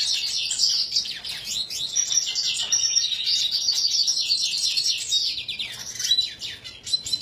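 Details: Red siskin in continuous song: high, rapid twittering and chattering with buzzy trills and short descending slurs, running without pause.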